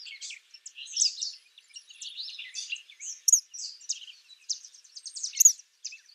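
An Eastern kingbird gives a run of high, sputtering, buzzy chatters and sharp zeer notes, tumbling in quick irregular bursts over faint background noise.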